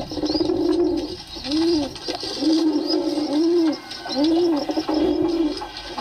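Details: Soft, deep pigeon coos, each a rounded note rising and falling, repeated steadily about every second, over a gentle background hiss.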